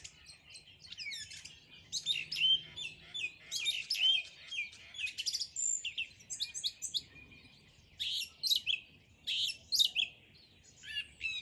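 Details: Morning birdsong: a busy run of high, quick chirps and twittering phrases, with short pauses between bursts throughout.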